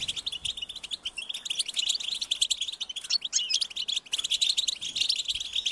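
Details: A chorus of European goldfinch young calls so the parents can find and feed them. The shrill, rapid chirps are packed tightly and keep up a constant, piercing chatter.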